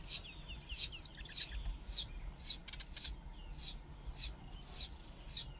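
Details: Begging Dideric cuckoo chick, reared by Southern Grey-headed Sparrow foster parents, before being fed by an adult sparrow: insistent, piercing high squeaks repeated rapidly, nearly two each second, with a brief burst of rustling midway.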